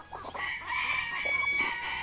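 A rooster gives a hoarse, drawn-out crow, strained and harmonic-rich, holding steady for about two seconds.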